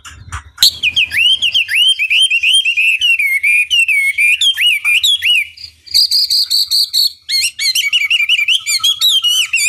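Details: Lure song of a Chinese hwamei, meant to goad rivals into replying: a long run of loud, liquid whistles sliding up and down, broken by bright, rapid, ringing note clusters near the end.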